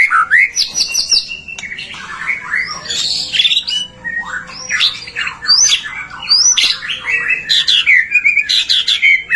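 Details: White-rumped shama singing energetically as a lure to set other shamas singing; dense, high-pitched phrases mixing sharp rising whistles, squeaky squawks and chattering notes, delivered in quick bursts over several seconds.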